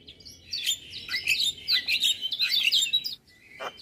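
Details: Male Javan myna in morning song from a tutor recording full of fill phrases, a dense high, chattering warble of twisting squeaky notes for over two seconds, then a brief quiet gap and a single sharp note.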